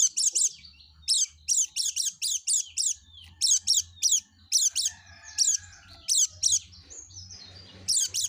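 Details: Yellow-breasted white-eye singing continuously as a lure for other white-eyes: clipped, very high chirps in pairs and triplets, repeated steadily over about eight seconds, with a faint low hum.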